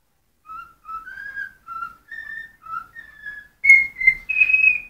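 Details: A cockatiel whistles a string of short, clear mid-pitched notes, slightly rising and falling, ending with louder, harsher whistles indoors; it sings when hungry.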